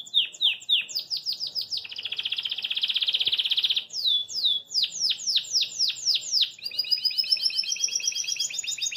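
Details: Belgian canary singing cheerfully while hopping in its cage. Quick descending chirps give way to a long, loud buzzy trill, then more swept notes and a rising run of rapid high syllables.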